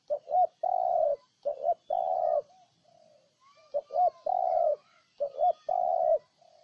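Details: Three rhythmic spotted dove phrases from Ninh Thuận, Vietnam: paired short coos and a long low drawn note each time, with faint distant cooing between phrases.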